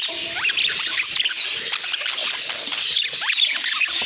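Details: Budgies in busy chirping chatter, a steady wash of high twitters broken by quick upward-sweeping chirps and a few squawky notes, with no pauses.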